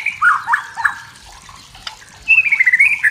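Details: Wild white-rumped shama singing in forest to provoke rivals: loud warbled whistles, a quiet gap with a faint click, then a rapid wavering trill of whistled notes.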